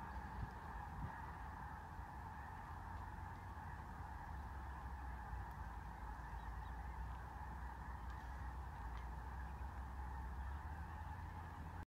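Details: Snow geese at Ladner, a large flock calling continuously as a dense, steady honking chatter with no clear breaks, over a low background rumble.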